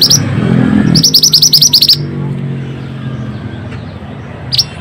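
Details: Pied bushchat singing strongly, used to draw song from lazy or stressed birds: a brisk string of high, ringing upslurred chips lasting about a second over a low rumbling background, with a lone chip near the end.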